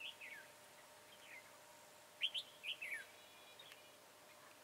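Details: Red-whiskered bulbul with a slender body, tall crest and dark bib, recorded 22 January 2018 during trapping; a few short whistled, warbling phrases, rising and falling, separated by long pauses over steady background hiss.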